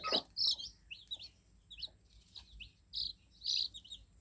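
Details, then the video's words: Newly hatched fluffy chicks cheeping: thin, high peeps, each a quick downward slide, repeated irregularly at soft volume with short pauses between, over a quiet background. "Baby Chicks Just Hatched Cheep Cheep Sound Effect"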